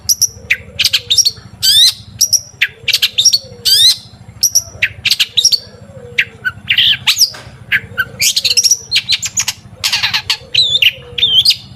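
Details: Long-tailed shrike singing as a lure to get shrikes to sing, phrases of sharp whistles and harsh rasping notes repeated roughly every second, turning into denser varied chattering, with a steady low hum beneath.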